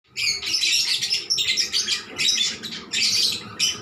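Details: Lovebirds calling back and forth, a long energetic chatter: dense bursts of high, harsh chirps and squeaks in clusters about a second long, separated by brief gaps.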